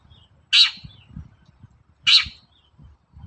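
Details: Long-tailed shrike, a morning lure recording meant to make other shrikes sing: two harsh, rasping notes about one and a half seconds apart, each a broad burst with a brief trailing tail, over faint low background rumble.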